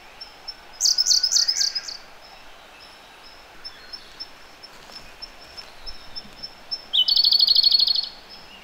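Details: Siberian blue robin singing close by in a gorge, delivering two loud phrases of quick, sharply repeated high trilled notes several seconds apart, with a thin, steady, pulsing high tone continuing in the background between them.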